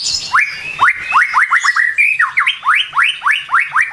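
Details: White-rumped shama morning lure song: rapid rising whistled notes repeated about three times a second, bright and even, with a brief level whistle in the middle.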